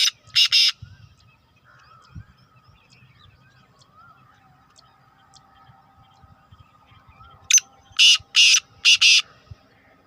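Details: Black francolin calling: two short harsh grating bursts at the start, a long quiet pause with faint distant bird notes, then a loud series of four rasping notes in quick rhythm near the end.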